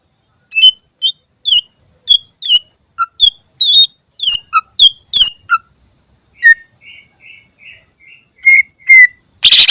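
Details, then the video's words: Varied tutor song of a greater green leafbird, used to train other birds: a steady series of bright, clipped whistled notes at shifting pitches, then soft level warbles and two clear descending whistles, ending in a loud buzzy burst. "Burung Cucak Ijo Isian Istimewa Cocok Buat Masteran"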